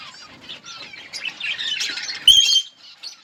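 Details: Budgerigars eating in a colony, giving soft busy high chatter with a louder sharp whistled note near the end and brief scuffling sounds.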